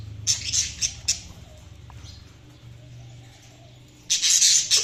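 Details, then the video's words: Budgerigars chirping: a few short, high, scratchy chirps in the first second, a near-quiet stretch with a low steady hum, then a loud burst of dense, harsh chatter near the end. "Budgies Chirping sound"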